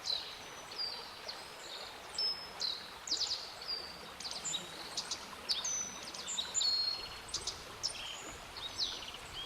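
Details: Black-faced bunting song, a series of brief high phrases mixing clear thin whistles with quick ticking notes, repeated with short pauses throughout, over low steady environmental hiss.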